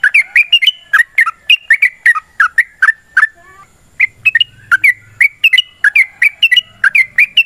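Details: Long fighting song of a yellow-vented bulbul, played to set other birds singing: rapid bubbly slurred notes, a pause of about a second, then the chattering stream returns.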